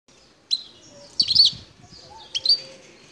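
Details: Wild European goldfinch from the El Tarf sector near Bouteldja, Algeria: a few sharp, high chirps with pauses between, plus a soft twittered phrase in the middle and low background rumble.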